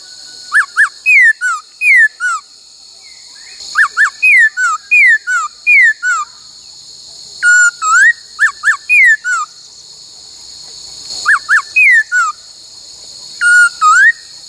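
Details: Black-throated laughingthrush song for training in the "bắt cô trói cột" style, with many voices: repeated bursts of arched, falling and rising whistles every few seconds, phrases recurring four times over steady background hiss.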